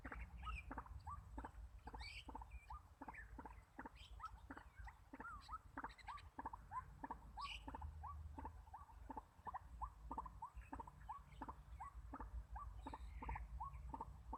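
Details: A White-breasted waterhen used as a decoy for trapping calls tirelessly, around thirty short rising notes in fourteen seconds, each with a click, while faint higher bird calls and low background rumble continue.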